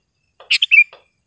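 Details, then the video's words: Sooty-headed bulbul, a prolific singer with a sharp, clear voice, used to train caged birds and to lure wild ones in gardens: one brisk three-part phrase with a buzzy start and a bright whistled ending, soft low chirps before and after. "SUARA BURUNG KUTILANG GACOR TAJAM DAN JERNIH"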